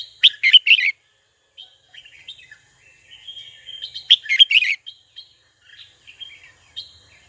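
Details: A red-whiskered bulbul sings to summon a rival. Two bursts of four or five loud, rapid chirps are linked by quieter warbled twitters, and scattered soft notes trail off afterward.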